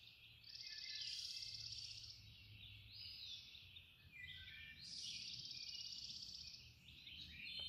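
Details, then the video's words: Dawn chorus of wild birds at Linville Falls: bright, rapid trilled phrases and sharp chirps in two loud bursts with overlapping callers between, over a soft low rumble. "Birds chirping at dawn"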